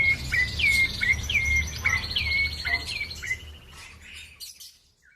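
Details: Bar-winged prinia, a lively caged singer, giving a short fast run of clipped chirping notes that falls away into quiet.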